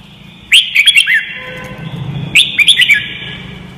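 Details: Red-whiskered bulbul training song: two lively warbled phrases, each a quick run of five or six slurred, rolling whistles, separated by a short pause with low hum behind.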